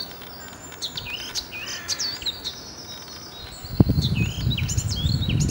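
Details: Eurasian blackcap, a small grey bird with a dark cap that breeds in dense thickets, recorded in Denmark: overlapping high whistled and warbled phrases, varied and quick, with a low rumbling background that swells near the end.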